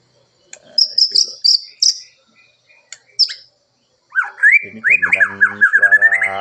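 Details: White-rumped shama of Nias bloodline being given early-morning dew airing at home; voice still hoarse and not yet at full power, bird moulting and regrowing a broken beak. It gives quick bursts of high, sharp whistles, then a lower, richer run of slurred phrases, with a man talking over it.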